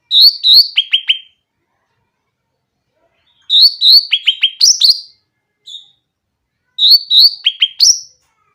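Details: Grey-cheeked bulbul in full, clear song, used to provoke bulbuls that rarely sing: three bursts of bright chirped phrases, each a pair of high notes and then quick descending staccato notes, with gaps of about two seconds.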